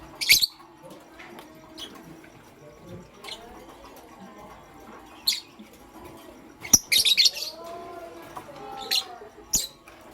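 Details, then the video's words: Morning chirping of pastel gray and green lovebirds: piercing, harsh high chirps come singly and then in a rapid cluster of several notes near the end, over faint background murmur. "Pastel Gray LoveBird Chirping Sound"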